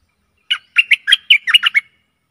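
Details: One short, bright bubbling phrase of about eight quick liquid notes from a Stripe-throated bulbul, played as a decoy for aggressive wild birds, with silence around it.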